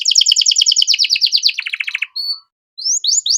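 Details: Canary master song for young birds in training: a fast rolling trill of repeated chirps that drops lower, a short pause, then a flat whistle and rising swept notes.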